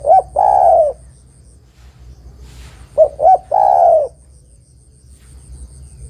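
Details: Female spotted dove calling a male, used as a lure: the tail of one long coo, a short hiss, then a full phrase of two short coos and a long falling coo.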